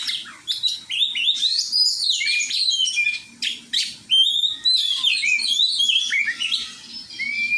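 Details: Kacer (Oriental magpie-robin) in a group song-training session: energetic high chirps, clear whistled notes and rapid trills, broken by short pauses, ending in sustained whistled phrases.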